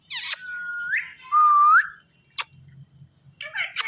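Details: Pet talking parrot giving two drawn-out whistles, the second sliding upward at its end, followed by a few sharp clicks and a short chirpy note.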